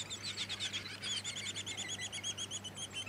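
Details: Black-backed form of the splendid fairywren (subspecies melanotus), recorded in Victoria, Australia, in December 2017: a fast, high reeling trill of rapid repeated notes, steady and even throughout, with a faint low hum beneath.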